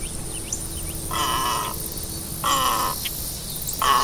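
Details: Great egret uttering hoarse, grating croaks, each about half a second long and spaced over a second apart, against a steady hissing background.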